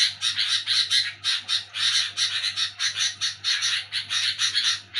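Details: Sooty-headed bulbul chattering noisily at night: a steady stream of grating, rasping notes, roughly four to five per second, hardly pausing, with a quiet electrical-sounding hum in the background.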